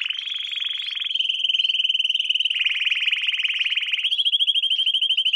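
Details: Young-canary training song: continuous fast trills of repeated notes, alternating between clear rolling passages and broader buzzy tours, ending on a crisp pulsed trill.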